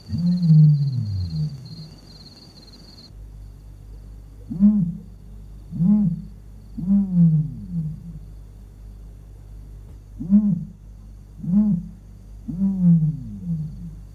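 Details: Common ostrich booming in Kruger National Park, South Africa: deep, low, hollow booms and rumbles, roughly two, a few seconds apart, with a faint background hum.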